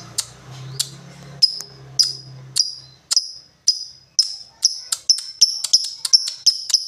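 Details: Lovebird ticking in 'ngetik' style: bright, clipped high notes that start slowly and speed up into a quick steady series, with a low hum fading out early.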